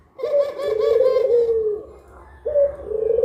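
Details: Puter pelung collared dove, one of two birds presented as a sound guide in broad daylight, giving a low, mellow coo that wavers and then breaks off, followed by a second rising coo after a short pause.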